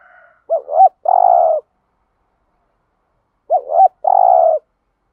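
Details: Standard 'thúc gù' cooing of a spotted dove, used as a lure to make wild doves respond: two matching phrases about three seconds apart, each a brief rising-falling double note then a sustained deep coo.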